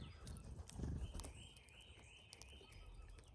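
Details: Cowbirds at a feeder while migrating; a sustained thin whistle holding a level pitch with slight wavering for about two seconds, preceded by low rustling and thumping noise.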